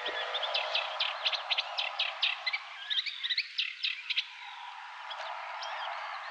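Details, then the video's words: Eurasian reed warbler singing at RSPB Marshside, a chattering run of grating, clicking notes, roughly four a second, fading out after four seconds over a steady background hiss. "Reed Warbler sings"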